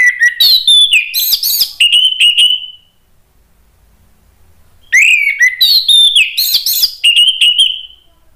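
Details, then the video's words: Orange-headed thrush in agitated song meant to provoke other birds into singing; two long loud phrases of rich whistles, sharp mixed notes and a falling drawn-out whistle, separated by a two-second pause. "ANIS MERAH spontan EMOSI NRATAK terus NGEPLONG ¦ PANCINGAN AM"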